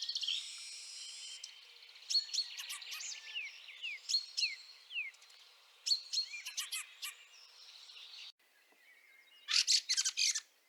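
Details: Snowy March 2023 at Liepāja, Latvia. Scratchy twitters and quick down-slurred notes from a Fieldfare lead to a final loud burst of grating chacks after a short pause.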